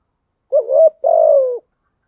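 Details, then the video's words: Spotted dove lure bird cooing to provoke rivals: one clean phrase, a wavering upward opening note then a long smooth hoot easing downward. "Tiếng chim cu gáy mồi thúc gù kích là gáy 100%"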